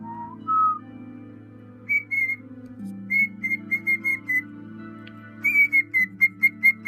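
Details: A cockatiel happily whistles while on a bed: clear, bright notes starting with low rising slurs, then quick repeated chirpy whistles.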